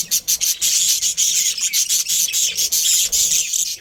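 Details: Breeding pair of Australian budgies chattering in fast, even, rasping high chirps that run almost without a break.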